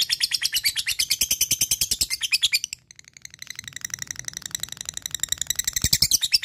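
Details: Caged fighter lovebird chattering nonstop in ngekek style to call a rival, fast rasping pulses about three per second, dipping briefly before a long, rattling burst resumes.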